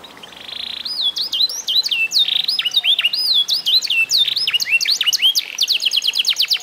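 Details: Song of an F1SF canary aged eight months after mastering training: an opening buzzy trill, then swooping looped whistles and chirps, finishing with a quick even high trill.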